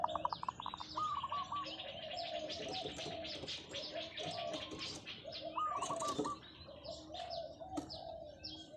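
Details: Decoy zebra dove giving long drawn calls: rolling, bubbly coos around mid pitch, two main phrases among steady high chirping from other small birds.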